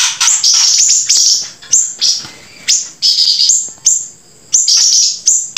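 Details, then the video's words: Gacor grey-breasted prinia song, joined with siri-siri: high, sharp chirping phrases in bursts of about a second, separated by short pauses, with fast trilled notes and some sweeping upper tones. "flamboyan gacor sambung siri siri"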